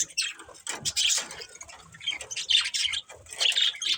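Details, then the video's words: Budgerigars playing together produce rough squawks and high chirruping bursts in clusters, with quieter stretches of soft chatter between them. "Cute Budgies Chirping Sounds"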